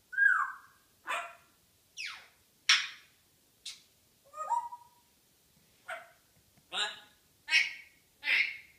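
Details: Female pet African grey parrot in morning banter: a run of about ten varied calls, with a falling whistled note, sharp clicks, buzzy squawks and short descending tones, spaced roughly a second apart in a quiet room.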